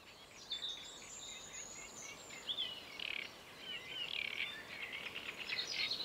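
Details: Great reed warbler (Acrocephalus arundinaceus) singing at Paxton Pits Nature Reserve, 28 May 2016: a continuous, grating chatter of harsh, rapid notes with a few thin whistles, rising and falling in loudness over a faint background hiss.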